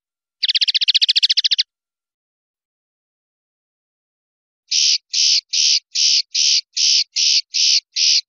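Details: Swiftlet training recording used as a lure for cage songbirds: a fast, buzzy rattle of about fifteen pulses lasting just over a second, then after silence a steady series of buzzy chirps, about two per second, with clean gaps between.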